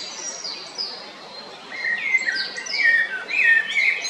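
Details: Male blackbird in Zagreb's Jarun area, Croatia, 22 April 2021. Clear, high, drawn-out whistles slide downward, then give way to a louder run of mellow, warbling mid-pitched notes with bright flourishes.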